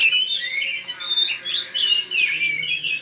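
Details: Oriental magpie-robin from Kalimantan in lively song meant to prompt replies from other magpie-robins; softer, slurred whistles and warbles over a hissy background, with brief pauses between phrases.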